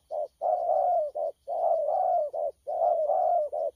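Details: Spotted dove cooing on 12.10.2019 in the 'lăng săn' style, with three rolling phrases of a short note, a long wavering coo and a clipped final note, repeated steadily with slight low rumble behind.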